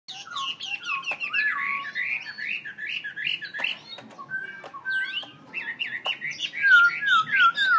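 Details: Tame captive Black-throated laughingthrush, kept as a cage bird in Vietnam, singing a fast run of warbled, slurred whistles that rise and fall and repeat about three times a second, mixed with sharp clicks, ending in louder descending whistled notes.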